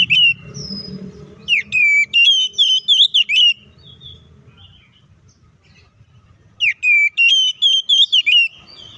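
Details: Agitated Oriental magpie-robin delivering its aggressive fighting song to stir up other birds. Two loud clusters of sharp whistles, bent and quivering notes in quick succession, with a long quiet gap between them and low hum beneath.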